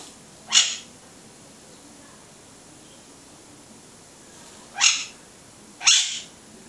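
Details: Three short, raspy conure screeches. The first comes alone, then a pause of about four seconds, then two close together a second apart. Each note is harsh and noisy, with steady faint background hiss.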